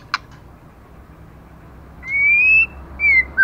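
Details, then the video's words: A moulting female white-rumped shama singing intensely: after a sharp click, two clear whistled notes, the first long and gently rising, the second shorter and falling, over a quiet hiss. "LỬA MÁI THAY LÔNG TRỤI LỦI ĐẬP TẠCH LÔNG BAY VUNG VỤ HÓT CỰC XUNG KÍCH LỬA"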